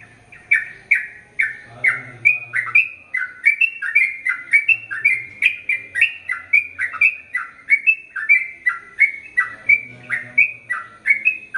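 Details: Sooty-headed bulbul in lively gacor form singing the long ropel panjang style: an unbroken run of short, bubbly whistled notes, each dipping then rising, about two per second, with a faint low hum underneath.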